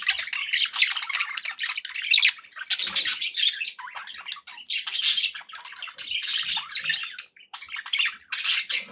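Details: Domestic budgerigars chirping together indoors, rapid bright twittering and buzzy warbles in clustered bursts separated by short pauses, with a few faint low knocks.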